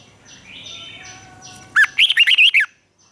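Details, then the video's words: Red-whiskered bulbul in a cage, Thailand, southern master-pattern song played to rouse birds and teach chicks: faint thin whistles of other birds first, then one loud quick phrase of looping, warbled notes. "เสียงนกกรงหัวจุก สำหรับต่อ หรือ เปิดให้นกคึก เสียงเพราะๆ"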